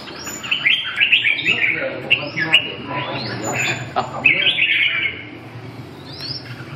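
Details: Red-whiskered bulbul song of lively slurred whistles and rapid chirping notes in clustered phrases, with a faint low murmur in the background.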